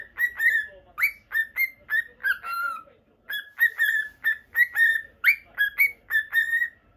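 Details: Japanese pet cockatiel, Normal Lutino; rhythmic series of short sharp whistled notes, many with quick upswept starts, repeated about twice a second with one short break.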